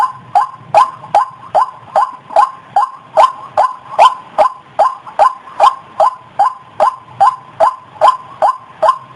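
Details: White-breasted waterhen, recorded to lure the opposite sex: a very even series of short, clipped, croaking notes, about two and a half per second, over a quiet background.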